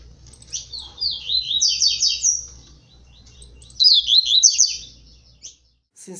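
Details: Blue-black grassquit delivering a forceful 'tui tui zel zel' song in dispute with seedeaters: two high phrases of fast, buzzy, falling notes over a steady low hum, ending with a brief click.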